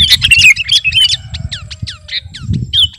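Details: Sooty-headed bulbul, 'kutilang garuda', chattering as a master or lure song; a busy warbled burst, then a fast series of short downward-slurred whistles, about three or four per second.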